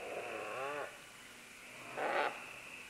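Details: A group of green-winged macaws descending along vines gives a wavering, nasal squawk and then a short, loud, harsh screech, over a steady high background hum.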